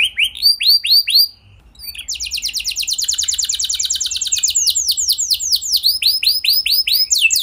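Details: Lively singing canary, its song played to trigger other canaries: a few looping whistled notes, a brief pause, then a long rapid trill of sharp descending notes ending in slower, clearer sweeps.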